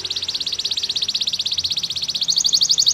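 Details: Canary song for training other canaries: a fast, even trill of buzzy notes repeated about four times a second, shifting into brighter, higher notes near the end.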